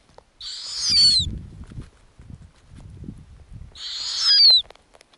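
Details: Snowy owl owlets on an Arctic nest while lemmings are fed to them. Two long, harsh screeches with falling whistled endings, separated by low rustling and movement sounds on the nest.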